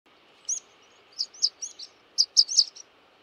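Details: Rock pipit giving sharp, high, thin call notes: a single chip, then a cluster of four quick notes and a tight burst of four or five more, each brief and clipped, over a quiet background.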